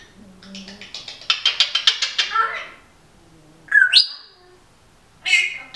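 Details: Pet female Timneh African grey recorded talking indoors amid a singer's music and a dog's snoring; a quick run of about ten clicking ticks, then a pause, a rising squawked whistle and a final harsh note.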